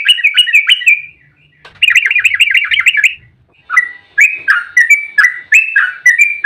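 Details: Yellow-vented bulbul in an agitated fighting song, used to lure other bulbuls into singing: dense bursts of rapid, rattling, up-and-down notes, then a slower run of separate bubbly phrases, with short pauses between bursts.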